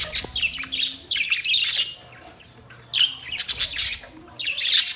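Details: Australian parrot calling in loud bursts of shrill, grating squawks, clustered in groups separated by brief pauses.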